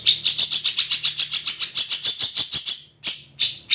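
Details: Cendet, the long-tailed shrike, delivering an "ombyokan" song: fast, loud, buzzy chattering notes repeated roughly three times a second, then a brief pause and a few separate harsh notes.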